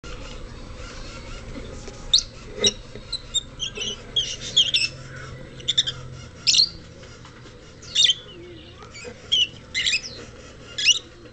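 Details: Rosy-faced lovebird, kept at a pet shop in Kobe, giving short, sharp high-pitched chirps and squeaks in scattered bursts over a steady low indoor hum.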